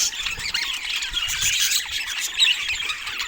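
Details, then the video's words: Busy budgie chatter, bright and shrill: rapid chirps, trills and rising squeaks crowd together in a brief, continuous burst. "100% Natural Parrot Ambience"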